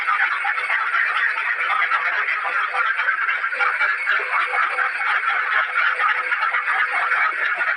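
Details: Many ducks kept in a cage calling loudly together, a dense, unbroken chorus of overlapping nasal, buzzy calls with no pauses, steady in loudness throughout, and no other clear sounds.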